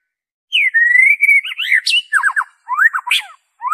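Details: White-rumped shama in pure song, no inserted imitations, meant to trigger singing in captive birds and draw wild ones: a long slurred whistle climbing slightly, followed by rapid descending chips and flourishes.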